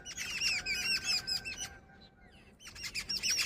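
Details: Female jungle babbler producing fast squeaky chattering notes, breaking off briefly in the middle before a renewed burst, with a faint steady hum underneath.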